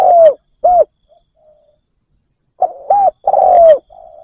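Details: Decoy spotted dove calling to attract wild doves: a long downslurred coo and a short note, quiet murmurs, then another phrase of short coos ending in a drawn-out falling coo. A soft trailing hum follows.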